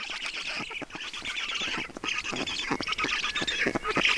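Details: Black stork chicks in Estonia begging during a nest feeding on 5 June 2019, heard more quietly; rough, pulsed chattering calls grow louder toward the close.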